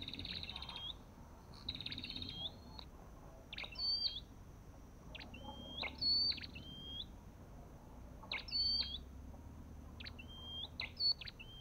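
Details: Olive-backed tailorbird giving repeated upslurred whistles and buzzy rattling bursts, clear and fairly loud, with a faint low rumble underneath.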